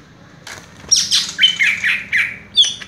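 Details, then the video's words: Brief passage from a cucak ijo (greater green leafbird) in 'raja tembak' style: a few loud, squeaky whistled notes that rise and fall, sliding and slightly harsh, ending with a high sharp note. "cucak ijo " raja tembak ""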